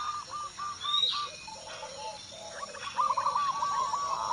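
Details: Local zebra dove in Indonesia singing a series of short repeated mid-pitched coos. A brief high whistle from another bird comes early, and a louder burst of rapid coos follows near the end.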